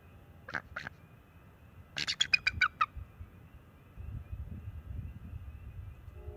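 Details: Young male bald eagle at an NCTC nest on March 7, 2024, calling to warn off an owl intruding near the nest: two brief notes, then a rapid run of about seven sharp, high chittering notes, over steady low camera hum.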